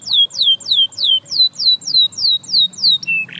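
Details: Canary repeating a clear downward-slurred whistle about three times a second in a steady tour, ending with a short buzzy note.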